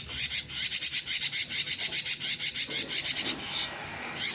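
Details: Cinereous tit singing in the rapid nonstop 'gacor konslet' style: a fast run of very high, thin, sharp notes, about five per second, briefly pausing near the end before resuming.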